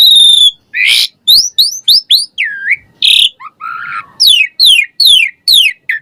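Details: Asian pied starling in energetic varied song, a recording for prompting caged starlings to sing: a long high whistle, harsh bursts, then a run of loud rising whistles and steep falling sweeps.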